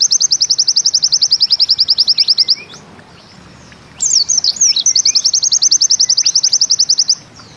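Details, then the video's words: Pleci (white-eye) of the Bustomi type, 'nembak ziperrr' song: a sustained, fast, evenly pulsed high trill, a pause of over a second, then swooping whistles and another long rapid run of sharp notes. "Bustomi NEmbak Ziperrr"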